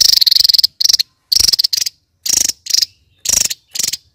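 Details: A kingfisher opens with a long buzzing rattle, then gives shorter harsh pulsed bursts in pairs, high and scratchy, with brief silences between.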